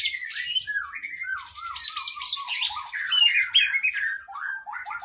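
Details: Oriental magpie-robin training song for cage birds, sung loudly with long fill-ins: a stream of descending whistled slurs, some doubled, over a harsh scratchy chatter, continuing without a break.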